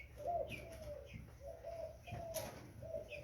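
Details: Young spotted dove uttering brief low coo notes, evenly spaced, with faint high chirps and a soft thud amid a constant low hum.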